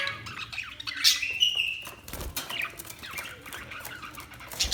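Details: Budgerigar chirps: scratchy chatter with a clear drawn-out whistle sliding slightly upward, followed by scattered short squawks and clicks, a few soft thumps underneath.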